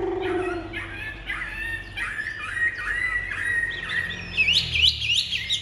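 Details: Chinese hwamei, a large-bodied caged bird with white wing feathers, sings a varied song: a low whistle at the start, then wavering mid-pitched phrases, ending in quick, high, looping whistles.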